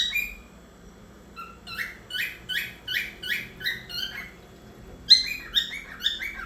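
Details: Cockatiel (Nymphicus hollandicus), song.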